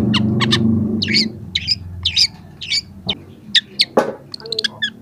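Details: Young long-tailed shrike singing vigorously, used as a training call for lazy birds: rasping chattered notes and sharp chips in uneven bursts, with low droning noise early on fading away.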